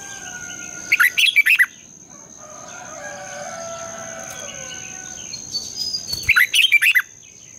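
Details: Morning song of a red-whiskered bulbul in the long double-twisted style. Two bright, fast-warbled phrases come about five seconds apart, with faint distant bird calls and a constant high-pitched whine between them.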